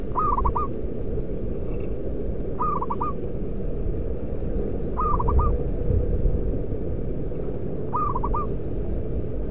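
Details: Local zebra dove, a male singled out as a champion lure bird with a loud voice, giving short trilled cooing phrases about every two and a half seconds, four in all, over heavy low rumbling background noise.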